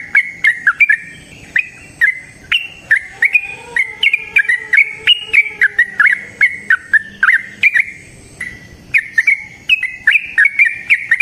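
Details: Trucukan (yellow-vented bulbul) delivering a long unbroken 'ropel panjang' song: rapid liquid chirps running for over ten seconds, with a soft lower tone briefly audible in the background.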